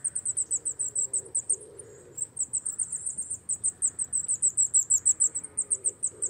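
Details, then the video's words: Coal tit (Periparus ater) pouring out quick, high-pitched squeaky notes in two long runs split by a brief pause, each run evenly paced and bright. "Sýkora uhelníček, Coal tit, Tannenmeise, Zwarte mees"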